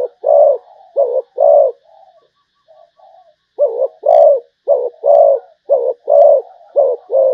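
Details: A Malaysian zebra dove repeats quick paired coos, each a short clipped note followed by a fuller rolling one, about once a second, broken by a brief stretch of quiet, purring murmurs.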